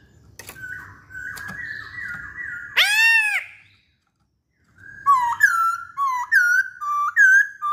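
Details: Masked laughingthrush singing, known locally as poksay Hongkong: level whistles, one loud arched harmonic cry, a brief pause, then a series of bright up-and-down whistled notes repeated rhythmically.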